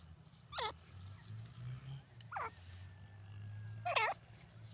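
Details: Grey francolin (teetar), India, 2023: three separate buzzy, quavering notes spaced roughly one and a half seconds apart, the last strongest, over a droning low hum.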